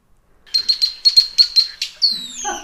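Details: Male Red-winged Blackbird flight song, a rarer song usually given in flight and thought to identify the individual: a quick string of about eight short, high call notes, then a slurred descending whistle with rougher lower tones.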